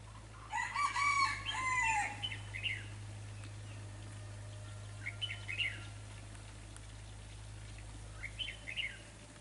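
Red-whiskered bulbul giving a bright, bubbly whistled phrase near the start, then shorter warbled notes every few seconds, over a steady low hum.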